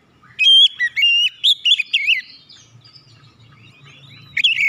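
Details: Oriental magpie-robin singing to provoke other birds to sing; a clear whistle followed by a rapid series of loud warbling whistled notes, then a long soft twittering passage and a final loud note.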